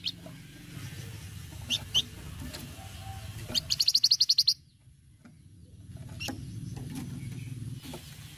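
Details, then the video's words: Flamboyan, cretetan chattering style: scattered high chips, then one quick burst of about ten rapid, evenly spaced metallic notes lasting about a second, followed by quiet with low rumbling background noise. "cretetan flamboyan gacor"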